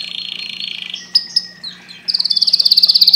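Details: Canary song with a buzzy trill, a few sharp chip notes, then a fast, very regular trill of rapidly repeated bright notes; steady low hum behind.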